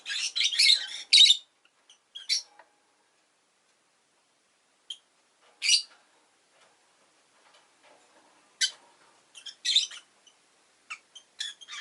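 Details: Pet rosy-faced lovebird in bursts of fast, scratchy, high-pitched chattering, with a long opening flurry, single sharp chirps in between and more rapid twittering later.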